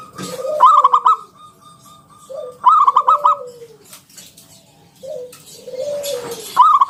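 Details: Zebra dove of local wild stock, singing keenly as a lure for other doves, ngalun kung bulat style: loud stuttered trilled phrases each run into a long descending coo, repeated about every two and a half seconds.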